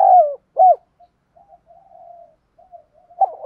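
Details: Deep coos of a spotted dove (cu gáy) in kích bổi thúc gù style for cooing duels. A long falling coo and an arched note, then soft low murmurs before a new phrase starts at the end.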